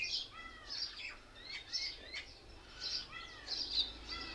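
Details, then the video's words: Mynas gathered together in a single tree, said to mock other birds: fairly soft, scattered calls of arched whistled notes and sharp chirps from several birds, coming in loose bursts about every second over a faint outdoor background. "Mayna Birds sounds"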